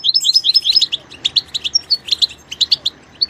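A goldfinch sings a fast, tinkling run of high twittering notes and short trills, with bright liquid phrases tumbling over one another.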